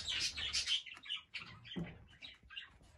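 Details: Young male cockatiels (babies) give busy, scratchy, high chirps in quick uneven bursts, with a few soft thumps and rustles between them.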